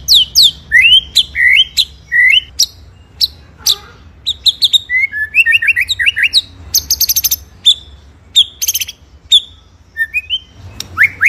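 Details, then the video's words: White-rumped shama, masteran tutor song in full 'ngerol' with 'nembak' shots: a varied stream of sliding whistles, chirps and short buzzy trills at high pitch, with hardly a pause. "MASTERAN MURAI BATU FULL NGEROL NEMBAK SUPER EDAN!!"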